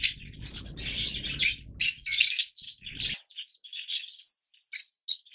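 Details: Yellow Fischer's lovebirds, captive, giving rapid shrill chirps and squeals in uneven bursts, some overlapping, with a low rumble fading out partway through.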